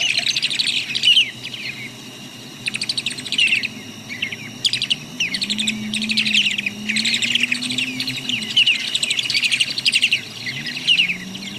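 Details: Short-billed Dowitcher, a fall and winter shorebird of Santa Clara County wetlands, giving soft, muted chattering call notes in quick bursts, less piercing than the long-billed's squeaky high call, under a low room hum.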